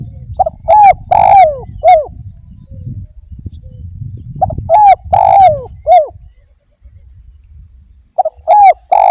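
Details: Active spotted dove (derkuku) song meant to trigger other doves: repeated phrases of short soft notes and three mellow coos rising then sliding down, middle coo longest, over a low rumbling background.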